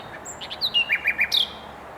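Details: Common nightingale singing in Mils, recorded 7/5/21: a short phrase of clear, high notes, then three evenly spaced, repeated chirps, ending in a sharp, bright upward flourish.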